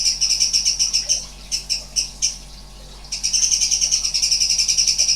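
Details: Strange sounds from a sooty-headed bulbul (cucak cungkok) in 'nembak' style: a run of sharp high pulsed notes, then a few spaced single notes and a short gap, before a quicker, continuous ringing trill resumes.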